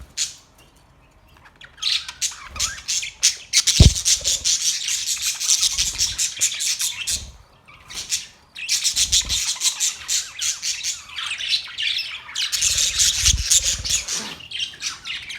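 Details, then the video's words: Australian parrots chirping in a busy flock: dense rapid high chirps and squawks in bursts, a short pause near the middle, a thud around four seconds, low rumbles beneath. "Australian parrot Beautiful birds chirping sounds"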